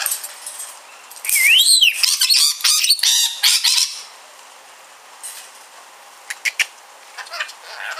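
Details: Pet rainbow lorikeet, a talking bird, letting out a loud burst of harsh, shrill squawks and chatter lasting about three seconds, with a swooping rising note at the start, then a few faint clicks.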